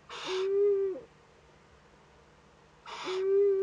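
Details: At a nest in northern Rhineland-Palatinate, Germany, on 15 May 2013, an owlet and an adult Eurasian eagle-owl make first contact. Twice, a breathy rasp flows straight into a sustained, even tone, the pairs about three seconds apart.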